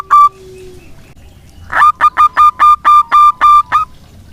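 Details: Local zebra dove in lively song, serving as a lure for doves that stopped singing: one lone coo, a pause, then a fast even series of about ten clipped, ringing notes.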